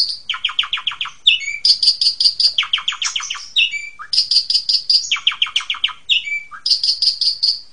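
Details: Asian pied starling in a super ngentrok therapy recording meant to startle home-kept magpie robins: a repeating cycle of rapid buzzy trills alternating with high bright whistled notes, each phrase group returning about every two seconds.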